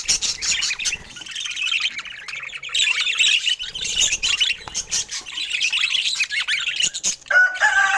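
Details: Several rare budgerigars, filmed in Scandinavian natural light, trade bursts of high twittering and squawks in uneven waves with short pauses. A brief lower, tonal call cuts in near the end.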